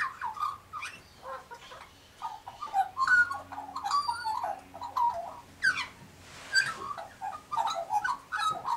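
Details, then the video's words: Pink galahs nearby as an Australian magpie warbles, a continuous stream of gurgling, fluting notes and short whistles, with a few harsh scratchy bursts mixed in and a faint low hum beneath. "Australian Magpie Warbles"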